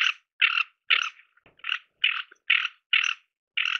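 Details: Rough, croaking calls of a ferruginous duck, a steady series of short grating bursts repeated roughly every half second, with no other sounds.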